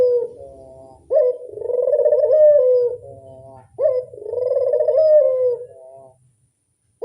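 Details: Barbary dove lure call: two phrases roughly three seconds apart, each a sharp rising onset into a long, rolling, mid-pitched coo that fades, then silence before the next call begins.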